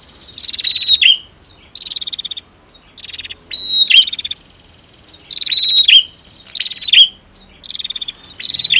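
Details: Female and male prenjak calling in turn to stir a bird into singing, rapid rattling buzzy bursts with sharp downward-slurred notes, grouped in phrases separated by brief pauses.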